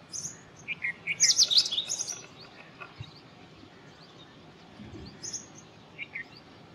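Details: Indian robin song: a quick burst of sharp, high twittering notes early on, then scattered fainter chirps and a soft low thump against light background noise.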